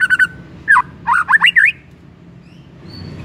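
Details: Lure song of a white-rumped shama, meant to make another shama sing aggressively: a quick triple chip, then a run of five loud, twisting whistled notes rising and falling, followed by quiet faint whistles.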